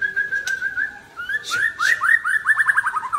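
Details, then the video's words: After a midday bath, an Aceh white-rumped shama sings a sustained whistled line that steps up into quick repeated upslurred notes, accelerating into a rapid trill at the end. "Murai Aceh # Mandi Siang muntah isian"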